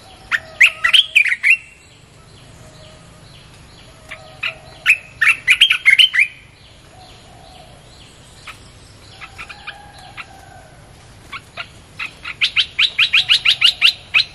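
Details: Red-whiskered bulbul song, played to lure wild birds: three bursts of sharp, rapid whistled notes separated by quieter pauses, ending in a fast, even run of chirps.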